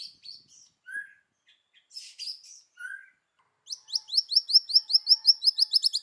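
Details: White-rumped shama in forest-voice song: scattered short whistles and a soft rasp, then a rapid series of high, sharp repeated notes, about three per second, rising in urgency.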